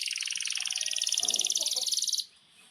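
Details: Canary in full song, meant to train young canaries: a rapid, even, buzzy rolling trill lasting about two seconds before stopping abruptly, with soft background noise.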